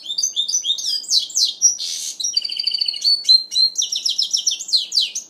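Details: Goldfinch mule in its first moult, recorded in 2012, singing a fast, varied twittering song of high chirps, short trills and buzzy notes. The phrases run on without pause, clear and close, with no other sounds.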